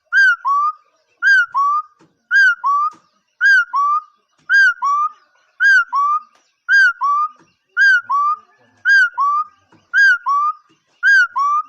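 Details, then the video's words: Bird calling persistently in regular two-part phrases of a falling high whistle and then a lower flat whistle. Eleven phrases repeat about once a second in quiet surroundings. "เสียงนกขอ.,suab noog yij liab quaj zoo heev"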